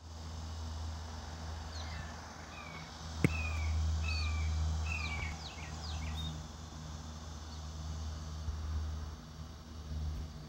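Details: Juvenile red-shouldered hawks begging from the background at a home property while a resident adult pair shares chicken hearts; a series of slurred, downward-sliding squealing notes over a steady low hum, with a sharp click near the middle.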